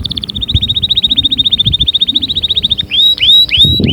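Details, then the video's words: Loud canary singing, offered as strong stimulation for other canaries: a long, even, very rapid rolling trill lasting almost three seconds, then three emphatic upswept whistled notes with faint low background noise. "أقوى💪 تحفيز لطيور الكناري📣 أأأستحالة يصمت معها نار نار"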